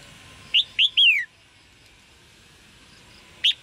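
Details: Red-whiskered bulbul chirping call meant to prompt males to sing: one crisp whistled phrase of two quick upslurred notes and a drawn-out descending note, then a lone short chirp after a pause.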